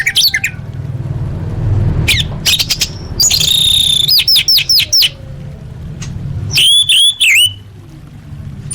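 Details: Orange-headed thrush singing, offered as a lure for caged birds: quick clusters of thin, high notes and swooping whistled slurs, a few bursts with gaps between, a constant low rumble in the background.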